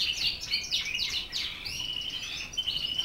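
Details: Border Fancy canary of Dutch origin delivering quick chirped notes that run into a long sustained trill, steady and slightly wavering, with light background hiss.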